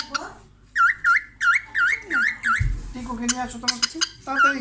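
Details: Pet cockatiel, a female, looking at her reflection in a mirror, repeats a clear swooping whistle roughly every third of a second in a steady string, then a burst of harsh, crackly notes; a person speaks softly toward the end.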